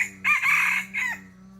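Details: Rooster on a chicken farm giving a short, loud, raspy crow fragment that ends in a falling, drawn-out note, with a steady low hum underneath.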